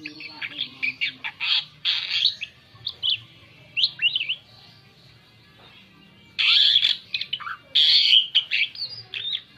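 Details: Asian pied starling giving its lure song to draw other birds, mixing rapid squeaky whistles and chatter with loud raspy squawks, a silent stretch, then two long harsh grating bursts.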